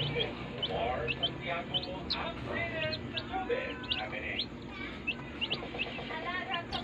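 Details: A brooder full of day-old chicks fills the air with loud, piercing peeps. Some notes are short upward flicks and others are longer wavering cheeps, all overlapping in a busy chorus.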